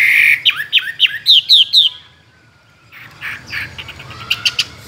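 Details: Tame caged Chinese hwamei, a two-year-old contest songbird with many wild voices, gives a burst of a few sweeping whistled notes, each sliding downward, then quieter scratchy sounds and faint notes.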